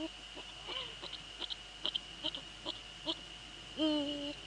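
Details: Eurasian eagle-owls in the Netherlands at 04:40 on 15 February 2013, a male visiting a female nearby: a run of faint dry ticks, then one harmonic hoot that rises and levels off, over a steady electronic hum.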